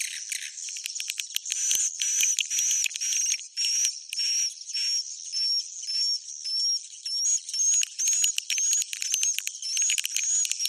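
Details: Swiftlet roosting call made of rapid, evenly pulsed buzzy bursts roughly twice a second, each topped by a short high whistle that rises slightly.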